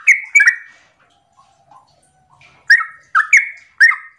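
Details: Sooty-headed bulbul singing a rapid 'ropel' song in the morning, used as a lure to make other bulbuls answer. Two quick bursts of sharp, bubbly notes open, then a near-silent gap, then another run of four or five emphatic chirping phrases.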